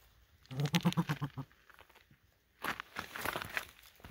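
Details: An aggressive, territorial Sooty (Blue/Dusky) grouse confronting a hiker on the Skookumchuck Trail, possibly guarding eggs as the hiker suspects, gives a quick run of about eight low, throaty clucks, then crunching footsteps on the trail follow.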